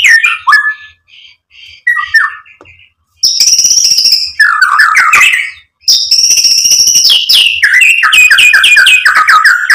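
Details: Murai batu, or white-rumped shama, singing a provoking lure: scattered whistled notes, then loud sustained high buzzy phrases and descending chattered whistles in quick sequence.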